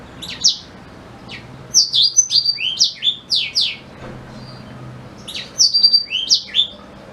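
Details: Black-throated canary song, used as a tutor song for white-rumped shamas: bursts of fast, high twittering, with sweeping, slurred notes in two clusters separated by a quieter pause, over a faint low hum.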